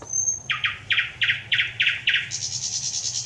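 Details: Thrush nightingale, 25 May 2021: one thin high whistle followed by six evenly spaced, powerful knocking notes and a long fast rattling trill, sung clearly against a quiet background.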